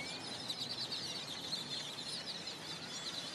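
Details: Great-tailed Grackles gathered at a roost near dark in the non-breeding months make a dense, unbroken din of countless overlapping high squeaks, chatters and thin rising whistles, with a faint low background rumble.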